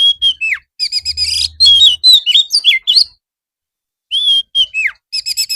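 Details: Oriental magpie-robin in gacor singing, an afternoon master song meant to make birds reply. Clear downslurred whistles and rapid buzzy trills in a long varied run, a pause, then more whistles, with a faint low hum.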